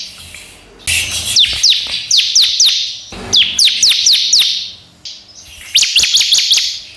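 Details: Ciblek, or bar-winged prinia, singing a lure song meant to set other ciblek singing; rapid strings of high downslurred chips and buzzy notes come in bursts of about a second, with brief quieter gaps.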